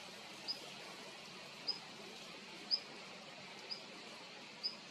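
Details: Long-tailed rosefinch giving five very short, thin, high calls spaced about one second apart, each a tiny faint tick over a steady broad hiss.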